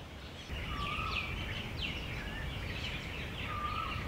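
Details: Brahminy starling calling in late spring: two short level whistled notes about three seconds apart, set against a busy chorus of higher chirps and trills from other birds and steady outdoor background noise.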